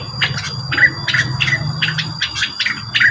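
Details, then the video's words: Rengganis bird lure song, a rapid string of short chirping notes roughly every quarter second with small whistled inflections, backed by constant low hum and thin steady tones. "mantul suara pancingan burung rengganis"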